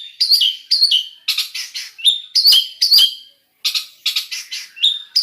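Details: Long-tailed shrike, or cendet, in mixed fill song. Loud, clear whistled notes slur downward and alternate with harsh, noisy bursts, with a brief pause near the middle.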